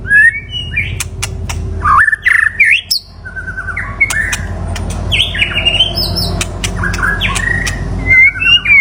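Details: Mate-calling song of a white-rumped shama, played for decoy trapping: short whistled and squeaky phrases over a steady low background hum, with sharp ticks.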